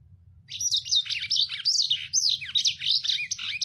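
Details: Lemon-breasted canary, a finch found across several countries including Indonesia, pouring out rapid, coarse song meant for teaching other birds. Crowded high chirps and swooping notes run continuously from the first half second, with a faint hum beneath.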